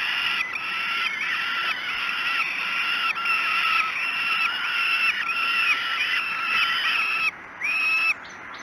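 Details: Breakfast feeding of falcon chicks at Great Spirit Bluff, 06:54, 5 June 2016; a long sequence of rough, whining begging cries repeated rapidly, then a brief lull and a final cry.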